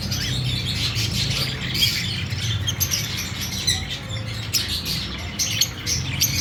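Fischer's lovebirds chatter in a dense stream of sharp, high, squeaky chirps, several birds calling over one another, with a low hum underneath.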